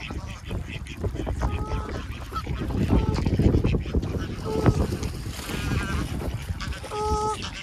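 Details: Geese near their young while being fed, with swans and ducks nearby; short harmonic honks come every second or two over steady wind and rustling noise.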